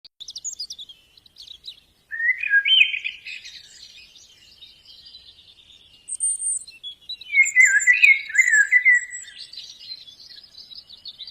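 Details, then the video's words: Wild white-eye singing in the open: bursts of quick, high, jumbled twittering chirps and warbled notes, with short pauses between phrases and a thin, high trill in places. "Suara burung Pleci dialam bebas"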